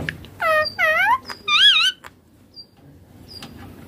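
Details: Young ringneck parrot giving three strident, rasping squawks in close succession, each bending up and down in pitch, followed by near silence and a couple of thin faint peeps.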